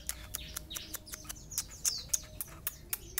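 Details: Long-tailed shrike of the Sapudi type: rapid sharp clicking notes, about three to four per second, mixed with high, thin descending whistled chirps and short twittering phrases, with low steady background noise.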